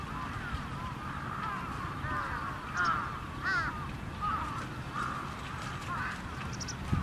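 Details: Trapped crows give short, harsh, slightly nasal caws, several in quick succession at uneven intervals, over a steady low rumble of background noise.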